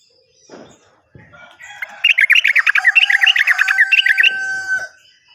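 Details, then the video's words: Yellow-vented bulbul in long rapid-fire song, a lure for birds that have stopped singing and for untrained birds: a fast burst of bubbling, chattering notes lasting over two seconds, with a steady droning tone beneath. "PANCINGAN BURUNG TRUCUKAN MACET BUNYI ‼️ bisa juga untuk burung Trucukan bahan"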